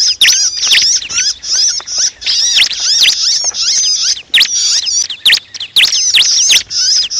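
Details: Bar-winged prinia, locally called ciblek or cancilak, giving a distress call used as a trapping lure: dense, harsh, high-pitched scolding notes with rapid up-and-down sweeps in overlapping bursts, broken by brief gaps, nearly continuous throughout.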